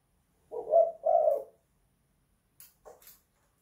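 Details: Spotted dove in a house, 'kuk 2 / guk 1' type, giving a single two-part low coo, then a few faint dry clicks or taps.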